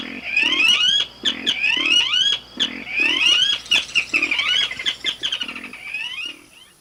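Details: Blackish Rail, a Brazilian rail, giving a run of shrill, rising squealed whistles about one per second over deep grunting notes, with a faint steady high tone behind.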